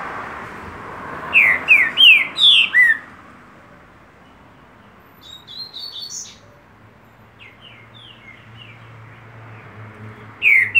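A loud green-winged saltator gives a quick run of four or five rich, slurred whistled notes, then softer whistles and a final strong note over faint background hiss.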